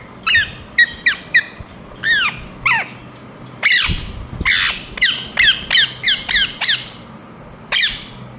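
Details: Indian ringneck parakeet squawking repeatedly, shrill downslurred screeches in quick pairs and triplets, with a short low thump partway through.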